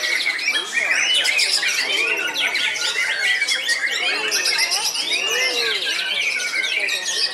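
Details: Aged caged white-rumped shama, called the oldest still actively singing, delivering a dense, continuous song: repeated arched whistles, rapid buzzy trills and sharp chattering phrases layered high and bright.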